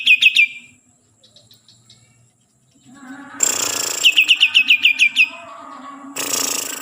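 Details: A green leafbird (cucak ijo) of Kalimantan gives short chirps, then softer faint notes and a pause. A harsh burst follows, then a run of about eight crisp downslurred chirps and another rasp.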